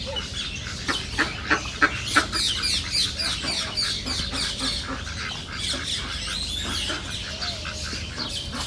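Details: A flock of wild ducks at a reserve keeps up rapid, harsh quacking, about three calls a second in a busy chorus, the loudest bursts early on, with a hissing noise bed behind.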